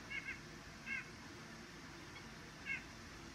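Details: White-breasted nuthatch (Sitta carolinensis) gives three short, nasal, mid-pitched calls at uneven intervals over a low, steady background rumble.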